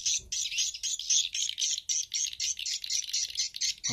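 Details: Edible-nest swiftlet sound for attracting birds to nest houses, a stereo Bulan Madu and Black Phoenix mix: high chirps repeated in a regular pulse, about four a second, each one buzzy and twittering.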